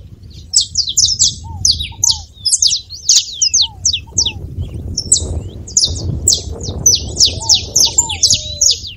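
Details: Song of a saffron finch, offered to warm up a reluctant canary: long stretches of rapid, crowded high chips in clusters, a brief pause midway, scattered low arched whistles, steady low background hum.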